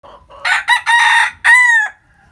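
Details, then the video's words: Rooster crowing in the morning in the countryside: a loud, hoarse, several-part crow with a brief rise, two short bursts, then a long strained note and a final drawn-out phrase, all in about one and a half seconds. "Tiếng Gà Gáy Buổi Sáng Ở Vùng Quê | The sound of chicken crowing in the morning in my hometown"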